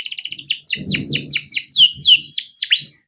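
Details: Canary song used as a lure to train young canaries, a long rolling performance: a fast train of high, downslurred notes repeated several times a second, with a low indoor rumble beneath.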